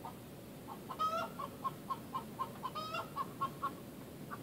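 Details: Rhode Island Red hen giving the egg song as she or a flockmate lays: a run of evenly spaced short clucks, about four a second, broken by two louder drawn-out squawks.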